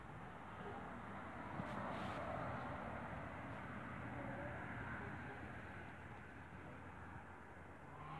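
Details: Steady broadband rumble of passing vehicle or aircraft noise outdoors, with no animal calls standing out.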